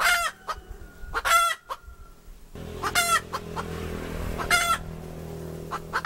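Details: Chicken hen producing four loud, brassy squawks with short clucks between them; a steady low hum and background noise start partway through.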